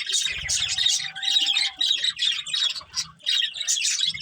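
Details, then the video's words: Budgerigar breeding pair chirping: dense bursts of harsh, buzzy chatter and squawky warbles in rapid clusters, with brief pauses between phrases and a faint low thumping underneath. "Cute Budgies Chirping Sounds"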